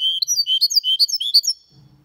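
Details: Goldfinch × canary mule singing a clean Malaga-style passage: fast, high slurred whistles and chirps in a tight run, fading into a faint low hum at the end.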